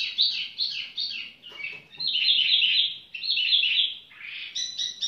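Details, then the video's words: A tiểu mi bird pours out bright, clustered warbling notes with dense rapid phrases, ending in a few short, evenly repeated high notes. "chim tiểu mi chơi lai rai"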